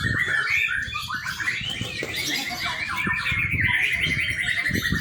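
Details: White-rumped shama, a young bird serving as a lure for training, sings chattering notes over a sustained thin whistle, with rapid clicks and low rustling.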